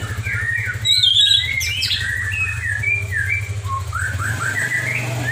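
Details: Caged white-rumped shama used in song contests, singing kilo style with unusual imitated phrases: short whistled slurs and chirps, some sweeping up and down, set against a constant low droning hum.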